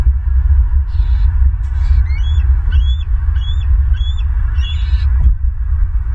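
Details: Bald eagles in Southwest Florida, recorded 24 May 2023 at 10:09: a run of about six short, sharp upslurred chirps, roughly half a second apart, over a steady loud low hum with scattered faint crackles.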